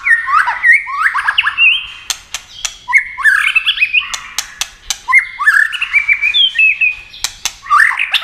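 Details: White-rumped shama in speed-singing competition, flashing wings and flicking tail: rapid tumbling phrases of rough chattering and quick upslurred whistles, repeated in bursts with loud sharp clicks between.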